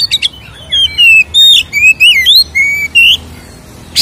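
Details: Oriental magpie-robin singing its ngeplong fighting song to provoke other birds: clear drawn-out whistles alternating with rising and falling slurs, loud and varied, with a few short clipped notes.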